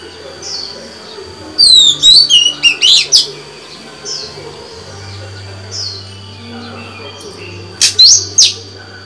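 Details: Female white-rumped shama singing to stimulate males; scattered soft rising whistles separated by quiet gaps, a loud cluster of sharp looping notes near two seconds, and another brief bright burst near the end.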